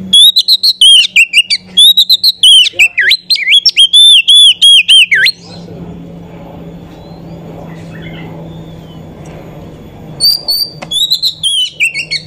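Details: Female Oriental magpie-robin, used as a lure to excite other magpie-robins and draw song from males: loud, rich whistled phrases with swooping slurs and quick flourishes for five seconds, a pause with background hiss, then the song resumes.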